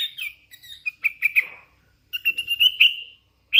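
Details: A hand-fed sooty-headed bulbul sings lively bubbling notes, a quick run of clear whistles that breaks into a longer warbled phrase after a short silence.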